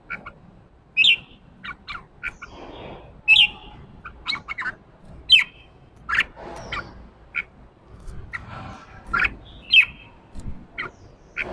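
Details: During morning voice training, a caged, wild-caught red-whiskered bulbul sings 'ché' competition song. It is a busy run of sharp chirps and slurred whistles, closely spaced, with faint background clatter.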